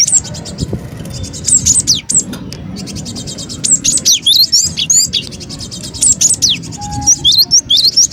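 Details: Lure sound of a cinereous tit for trapping: steady fast ticking trills overlaid with scattered thin, high slurred chirps and falling whistles, growing busier toward the end, with a low hum throughout.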